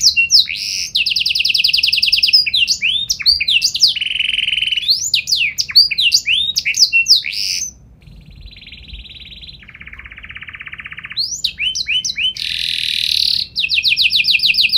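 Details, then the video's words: Canary singing gacor style: rapid rattling trills and quick swept whistles, a thin buzzy tone partway through, then a lower steady roll and a return to fast trills and chirps. "Burung Kenari Gacor Nembak Joss Cengkok Istimewa! Buat Kenari Lain Langsung Nyaut Gak Pake Lama"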